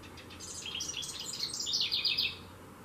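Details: Carolina wren singing close by from a shepherd's hook in a front garden in Saco, Maine: quick run of bright, ringing, high rolling whistled notes for about two seconds over faint background hiss.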